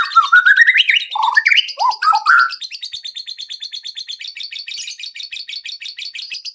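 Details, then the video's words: White-rumped shama song used as a lure to make other birds sing and reveal their learned repertoire: loud varied whistles rising and falling for two seconds, then a fast, even chatter of short notes repeating about three times a second. "PANCINGAN MURAI BATU AGAR CEPAT BUNYI BONGKAR ISIAN"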